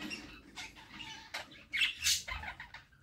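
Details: Budgerigar chicks begging as their mother feeds them in the nest box; rapid raspy squeaks and sharp chirps rising to louder bursts, with shuffling below.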